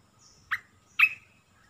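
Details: An Olive-winged Bulbul song, used as a lure to attract wild birds: two quick, bright chirps half a second apart, the second fuller and trailing off slightly, over a quiet background.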